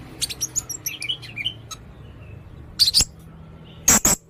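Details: Blue-crowned hanging parrot, described as red-necked, singing energetically in sharp bursts: a string of thin high chirps and squeaks in the first second and a half, then a quiet gap and two loud harsh bursts.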